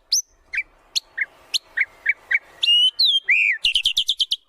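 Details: White-rumped shama lure song for training birds: spaced short chirps, then long clear gliding whistles and a quick burst of rapid repeated notes.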